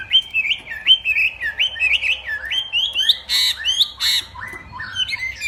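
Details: Northwest Vietnam hwamei in a singing contest, morning voice-training song: a rapid run of clear, bouncy whistled notes climbing in steps, then a few loud buzzy bursts and more rising whistles.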